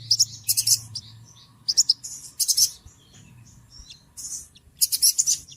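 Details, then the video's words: Small bird giving noisy calls: bursts of high, harsh chattering notes in quick clusters, separated by short pauses, with faint low rumble beneath. "Suara Burung Kecil Ribut Ampuh"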